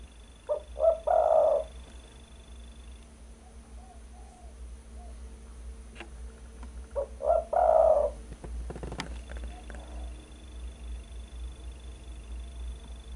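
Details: Spotted dove lure call for catching birds, coo phrases of two short low notes leading into a long rolling coo, given twice about six seconds apart, with faint soft coos between and a constant low background hum.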